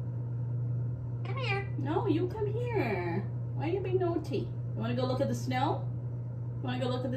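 A ringneck parakeet chatters in a high, speech-like voice: several short mimicked phrases with rising and falling inflection. A steady electrical hum runs underneath.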